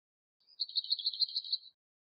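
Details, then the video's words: Lesser whitethroat recorded in Bydgoszcz parks between April and August 2023 with a Lumix FZ82 camera: a dry, rapid rattle of about nine high, even-pitched pulses lasting just over a second, clean background with no other sounds. "Piegża / Lesser whitethroat (Curruca curruca)"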